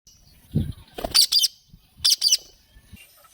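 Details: Ringneck parrots interacting affectionately as a courting pair: after a soft thump come two pairs of short, sharp high chirps, each pair close together and about a second apart.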